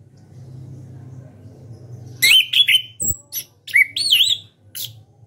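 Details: National champion contest orange-headed thrush, kept caged, delivers ngeplong-style song: a quick run of bright, rising and falling whistles with a thin high note and abrupt clicks, after two seconds of low background hum.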